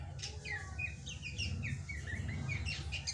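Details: Young drongo (srigunting), described as a lively singer and future champion, delivering a quick run of short whistled notes that rise and fall, some sharply slurred, over a steady low rumble of background noise.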